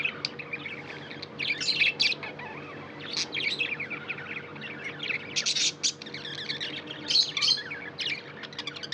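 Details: Pet budgerigars chirping: bursts of scratchy, warbling chatter and short sharp chirps high in pitch, coming in clusters every second or two over a steady low hum.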